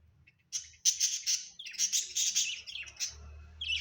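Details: Pet budgerigars at home in continuous rapid warbling chatter, high scratchy notes run together with short whistled glides, over faint low hum.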